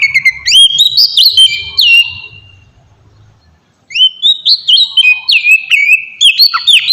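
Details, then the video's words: Oriental magpie-robin song used as a lure to provoke rival birds into answering: loud, rich whistled phrases with sliding notes and rapid chirps, a quiet gap of about two seconds, then another bright run of varied whistles. "suara pancingan burung kacer ampuh!! buat pancingan kacer bahan dijamin langsung nyaut"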